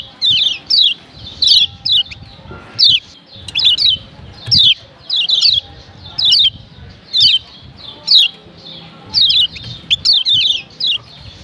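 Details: Lombok yellow white-eye female calling to provoke males: a long run of piercing high chirps that slur downward, often in twos, evenly repeated about once per second over a low hum.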